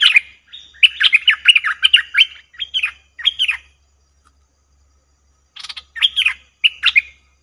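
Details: Cream-vented bulbul calls used as a trapping lure: a fast, bubbly chattering phrase, two shorter phrases, a pause, then a final burst of rolling notes.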